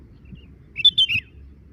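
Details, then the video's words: Sooty-headed bulbul calling while drinking: a quick burst of three short, bright, bubbly notes lasting under half a second, over a quiet background. "burung kutilang lagi minum sambil bunyi"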